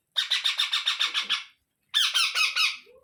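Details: Indian ringneck parrot young fed by an adult: two rasping bursts of evenly repeated, harsh pulses, the first about nine beats long, the second slightly slurred.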